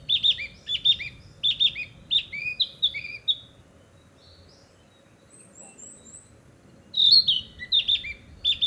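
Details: Breeding-season Narcissus flycatcher declaring its territory in spring woodland: clear whistled motifs repeated about once a second, then a pause of several seconds before the same phrases resume.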